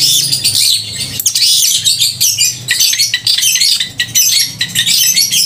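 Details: Energetic long-tailed shrike with a crisp, loud voice, used to excite emotion and mating urge in other shrikes; continuous dense twittering and harsh high warbles fill the clip.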